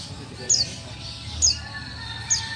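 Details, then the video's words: Female white-eye, buxtoni, giving calls to stir silent males into singing: three brief, very high, descending chirps about a second apart against a faint low hum. "Call Suara Pleci Buxtoni Betina"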